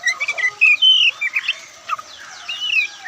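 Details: Oriental magpie-robin (Kacer Poci) with a brief burst of warbled and whistled notes, some held and slightly wavering, quick chips between them, sounding somewhat muffled.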